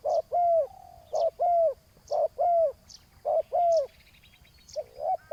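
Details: Spotted dove at a ground decoy meant to draw in a wild rival. Regular paired coos, a short note and then a longer falling one, repeat about every second before fading into softer notes. Faint high chirps are heard.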